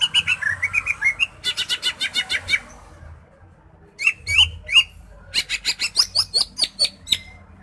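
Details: A greater green leafbird sings a loud, varied song, used as a lure to stir other leafbirds into breeding mood before contests: fast runs of high chirps, then sharp downward-sweeping whistles in quick bursts, short pauses between phrases.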